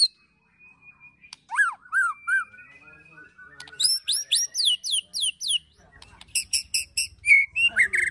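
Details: White-rumped shama ketrekan, agitated, with cililin and prenjak tir filler, used to train birds: a long thin whistle, soft looping notes, then fast runs of high rising chips and sharp trills.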